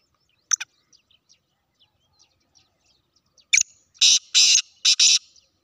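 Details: Black francolin of the Sindhi kind: a short sharp note, then a pause, then three harsh, grating, broadband notes with a clipped double at the end, following faint scattered chirps.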